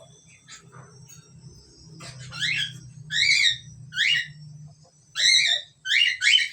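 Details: Asian pied starling pair: scattered soft chirps, then a series of loud harsh, buzzy stacked calls in quick bursts, each roughly half a second, over a faint low hum.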